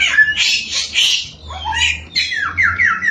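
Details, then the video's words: Samyong singing as a lure to excite other samyong birds; harsh, noisy bursts are followed by a few clear whistled notes and a quick series of falling slurs. "Burung 1001 Suara SAMYONG GACOR, Bikin Samyong Lain Emosi & Ikut Gacor.."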